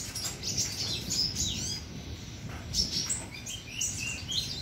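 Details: Brown-throated sunbird, called konin or kolibri ninja, singing actively. Thin, very high twittering phrases of quick downward and upward sweeps come in rapid bursts over a steady background hiss.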